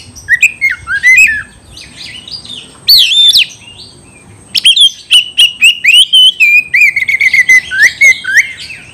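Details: Oriental magpie-robin, said to be challenging a rival to fight: loud whistled rising and falling phrases with rapid repeated sharp notes, varied and sweeping, with a steady faint high tone behind.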